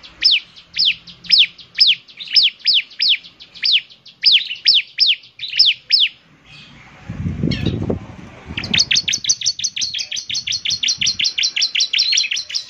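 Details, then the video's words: Bar-winged prinia in full song: paired high downslurred chirps repeated steadily, a loud noisy interruption, then a rapid sustained trill of high chirps. "ciblek semi gacor, suaranya yang KHAS bikin ciblek semi IKUT bunyi"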